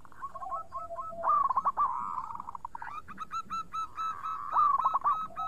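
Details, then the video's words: Local zebra dove song: rapid hooked cooing notes, a low sustained tone early, then dense overlapping trills and a loud bubbling burst at the end. "Pancingan Perkutut Lokal Gacor Suara Bening"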